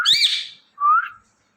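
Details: Indian ringneck parrot giving a loud, rough squawk rich in harmonics, followed after a brief gap by a clean whistle that rises gently and then fades.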